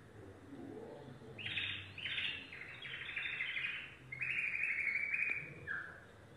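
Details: Yellow domestic canary singing in bursts: several buzzy, rattling phrases, then a sustained bright trill and a brief closing note, over low background murmur.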